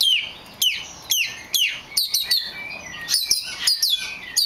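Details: A rare black magpie robin gives a series of sharp downslurred whistles repeated about every half second, then shifts to a faster, more jumbled run of high notes.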